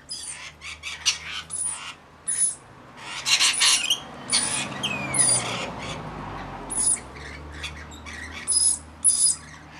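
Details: Rainbow lorikeets, a mixed flock of about 40 tending a single baby, give harsh, high screeching squawks in quick irregular bursts, several birds overlapping, with a low background hum.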